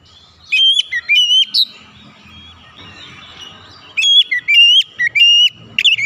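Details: White-rumped shama song played to get other birds singing: two bouts of loud whistles with sharp upslurs and steady ringing tones, with quieter chatter between.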